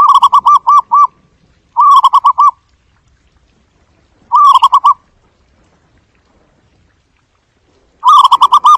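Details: Lure call of a zebra dove for bird survey work, four bursts of quick, bubbling coo notes, each burst five or six arched tones, repeated roughly every two seconds against a silent background.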